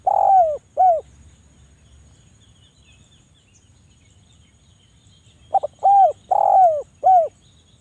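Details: Derkuku Jawa, the spotted dove, calling densely as a lure to prompt quiet doves: two rounded coos, a pause of several seconds, then a phrase of short clipped notes and four falling coos.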